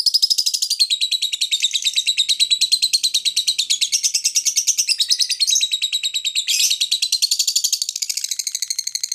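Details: Lovebird in long ngekek chatter, used as a lure to make other birds answer: an unbroken, rapid, high buzzy trill of tightly packed notes running for about nine seconds with hardly a pause.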